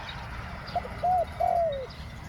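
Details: Spotted dove cooing in the two-note 'ku-ang' style while luring wild doves: a soft lead-in note, a short even coo, then a longer coo that slides gently downward, over a quiet low rumble.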